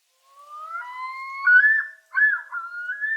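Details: Common loon; yodel; males claiming territory in spring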